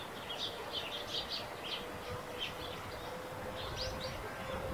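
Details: Eurasian tree sparrows chirping near a rooftop nest: a busy run of short, high, twittering notes in quick uneven succession, with a faint steady hum beneath.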